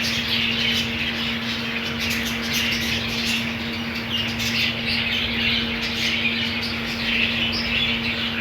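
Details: Many budgerigars in a colony setting with green food, producing an unbroken mix of squawks, chirps and soft warbles, loudness fairly even, a low droning hum underneath.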